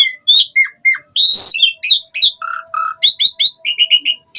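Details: Asian pied starling in steady 'gacor full isian' song mixes short whistled chirps, a loud harsh rasp, lower mellow fluting notes and a fast run of repeated bright chips near the end, all without background noise.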